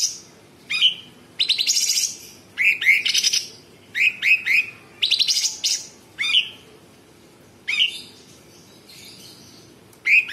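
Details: Sooty-headed bulbul giving a varied, tightly spaced song of coarse rattling bursts mixed with short upslurred whistles, delivered in quick clusters with brief pauses.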